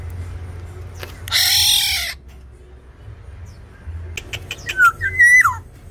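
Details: Tame Sumbawa black-naped oriole singing actively: a broad rushing noise burst early, then a loud fluted whistle that dips, rises and falls at the end, over a low steady hum.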